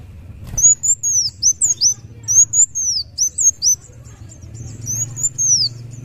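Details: Kolibri wulung (Van Hasselt's sunbird), muncang daun type, singing busily in thin, very high whistled notes, each a short arching sweep, delivered in quick bursts with brief pauses and a faint low hum beneath.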